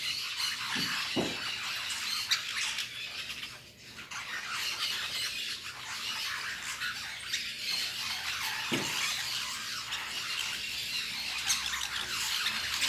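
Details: Fruit-eating lorikeets at La Fortuna chatter steadily: scratchy high squawks overlap throughout, with a few brief low thumps and knocks and a short quieter dip near the middle.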